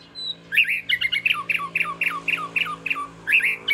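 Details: Oriental magpie-robin (southern Thai binla), the first one kept at the home: loud, harsh squawking notes that drop in pitch, given in a quick run of about ten, with a short pause before a final pair.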